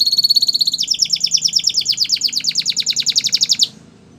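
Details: Belgian canary delivering a fast, steady trill of bright repeated notes for over three seconds before stopping abruptly; a low hum sounds beneath.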